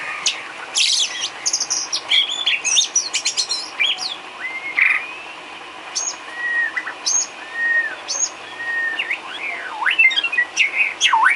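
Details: White-rumped shama filler song for training cage birds: varied loud whistles, sweeping rising and falling notes and sharp chips in quick succession, with a steady background hiss.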